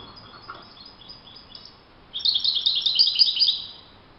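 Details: European goldfinch in the wild, faint high chirps at first, then a loud, quick, liquid twittering phrase of bright notes lasting about a second and a half.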